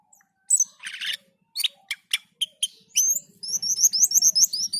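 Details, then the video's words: Black-and-white bulbul in gacor song: a noisy scratchy burst and sharp separate chirps, followed by a quick rolling series of high whistled two-note phrases over a faint low hum. "Suara MENYERAMKAN Burung Cucak keling ketika gacor dan teler"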